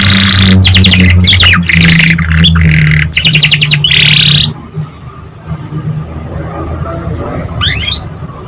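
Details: Canary song played as a lure to get young canaries singing quickly: loud bursts of fast buzzy trills and rapid repeated notes for about four seconds, then near silence with one brief chirp, over a steady low hum.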